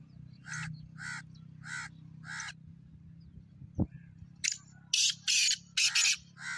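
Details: Black francolin, prepared for the calling season. Four evenly spaced nasal notes open the recording, then a run of loud, rasping, broadband bursts repeated about twice a second.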